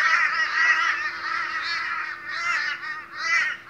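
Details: Australian crows in a raucous morning gathering, overlapping long harsh drawn-out caws from several birds, steady at first then in separate swells toward the end.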